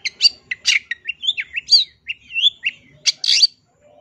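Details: Chatty long-tailed shrike master song packed with varied fill-in phrases for teaching young shrikes: harsh bursts mixed with twisting whistled slurs and short chirps in quick succession, ending in brief silence.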